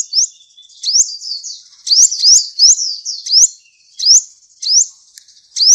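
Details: Sunbird (kolibri ninja) sings very high, thin upslurred notes, repeated roughly every half second to one second over a faint steady high hiss.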